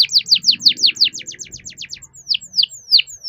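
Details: Canary long song played to spur other canaries into singing: rapid series of descending swept chirps, quickening into a fast run, then slower downward slurs.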